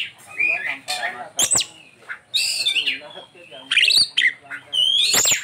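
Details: Oriental magpie-robin singing a varied, mimicry-rich song in short bursts: sharp high notes, squeaky slurs and chattering phrases separated by brief pauses.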